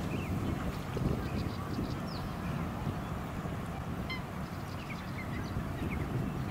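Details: Black swan at Lake Monger, Perth, Western Australia, in March 2018: brief, high, musical honks stand out twice through a steady roar of wind and suburban noise, with small chirps from other birds.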